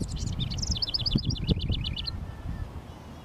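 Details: House wren singing to mark its territory around a honeysuckle vine on a fence and nearby bushes on a sunny 19 °C Mother's Day. A fast, bubbly song of high, rapid, descending trills lasts about two seconds, with low rumbling background noise.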